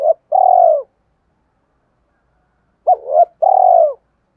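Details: Spotted dove call meant to draw wild doves in, heard as two loud phrases of a short hooting note followed by a long, slightly falling, purring coo, separated by nearly three seconds of silence.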